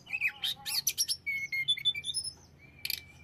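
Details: Short, softer passage of hill blue flycatcher song, used to agitate other birds: buzzy notes, then a string of clear level and slightly falling whistles.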